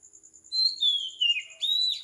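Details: Brief morning phrase from an Oriental magpie-robin at 4 am in tropical Sri Lanka: a long loud whistle gliding downward, followed by a rising upslurred note, over a soft pulsing insect trill.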